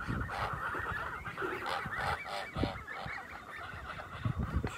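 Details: Kholmogory goose goslings on a farm, 27 May 2020: a dense, continuous chatter of many overlapping high peeping calls, with thumps and rustling low in the mix.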